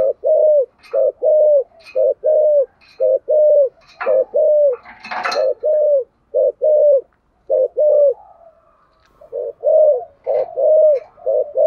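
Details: Spotted dove's 'giọng thokonglish' coos used to stir other doves to cooing; rapid repeated short-long coo pairs with faint clicks and a brief rustling noise midway, then a quieter pause before the pairs resume.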